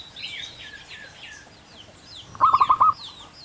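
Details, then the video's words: Wild local zebra dove, the perkutut, in the long clear 'kung' song style: a quick run of five low, hollow, evenly spaced coo notes near the end, over thin high whistles and chirps from other birds. "Burung perkutut lokal alam liar asli gacor suara kung panjang jernih"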